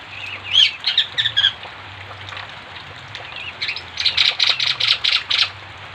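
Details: Bali myna in lively song, copying other birds' voices: scattered high chirps and squeaky twitters, a brief pause, then a fast burst of about seven loud, evenly spaced chirps near the end.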